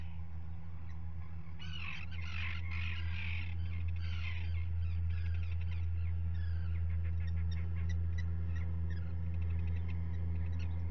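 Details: Common guillemots at a nest ledge where two chicks hatched, filmed by a live camera on 27 June 2020; harsh, rasping bursts of calling cluster mid-clip, then fade into a quicker train of faint clicks over a steady low hum.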